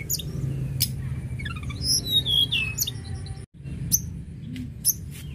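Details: A mountain shortwing sings to prompt other birds to call. A descending run of thin high notes leads into bright slurred whistles and scattered chirps, with a momentary dropout midway and a low background hum throughout.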